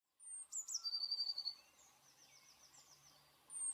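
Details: Eurasian blue tit (Cyanistes caeruleus), song.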